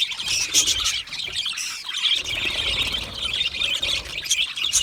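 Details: Australian budgies in a colony chirping while happy and comfortable: dense, continuous high chatter of overlapping chirps, whistles and squawks, with no pauses.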